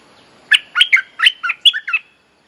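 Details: Mate-calling song of a bulbul, played as a lure for teaching young birds: a lively phrase of seven rich, bubbly, up-and-down notes delivered within about one and a half seconds.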